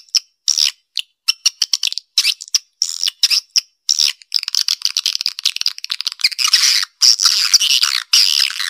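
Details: Swiftlet; lure call; attracting swiftlets to a nesting area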